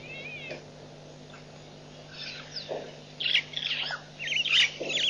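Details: Recorded at Nkorho Pan on 24 September 2007, white-backed vultures start with faint sounds, then break into loud, harsh squealing bursts toward the end, over a low steady hum.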